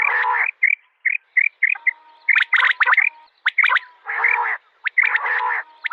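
Common quail calling: harsh, nasal growling bursts alternate with quick clipped liquid notes in short clusters, and a faint steady hum runs underneath.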